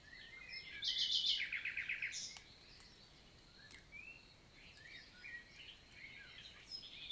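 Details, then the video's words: Nightingale, Luscinia megarhynchos, singing on an 11 June 2023 summer morning in the Célé valley, Lot, France: a fast rattled series of clipped repeated notes lasting about a second, then quieter distant bird chirps and a steady faint tone. "NIGHTINGALE MORNING SONG"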